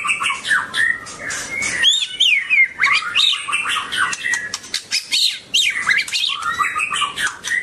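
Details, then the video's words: Energetic song from a dancing white-rumped shama (Copsychus malabaricus): a dense tumble of loud whistles, chirps and fast trills leaping between low and very high notes, mixed with crisp clicks, continuing almost without a break. "White-rumped shama(Copsychus malabaricus): Beautiful Birds,Dancing And Singing Chirping Sounds Great"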